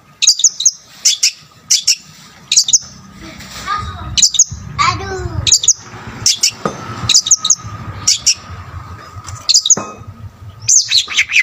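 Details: Long-tailed shrike in energetic, richly varied song, said to provoke other shrikes; scattered bursts of sharp high chirps over a low steady hum, with softer descending twittering in the middle.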